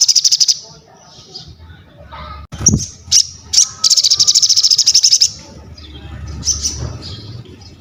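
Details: Crested jay singing, used to train other birds: short rattles, high whistles and a long fast buzzing trill in the middle, with a steady low hum behind.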